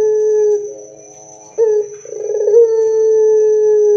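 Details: Barbary dove in loud song, intended to provoke answering calls from other doves: a held low tone, a soft wavering murmur, then a rolled burst swelling into a long, even, low hooting note to the end.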